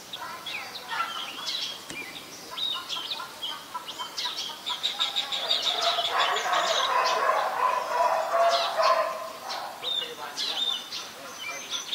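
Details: Adult Chestnut-headed Bee-eaters (Merops leschenaulti) in Ubon Ratchathani, Thailand, on 13 February 2021 give busy, overlapping bursts of short burry trills and chirps, several per second, like a chattering flock, with faint background hiss.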